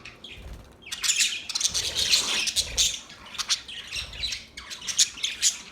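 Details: Chattering budgies give rapid, scratchy high-pitched chirps and squawks in overlapping bursts throughout, with short sharp notes standing out near the end.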